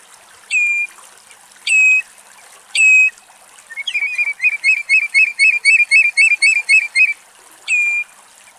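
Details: A foraging Common redshank (Tringa totanus) in Axios Delta National Park, Thessaloniki, Greece, gives ringing, down-slurred whistles about once a second, then a rapid run of about a dozen yelping notes, over faint hiss.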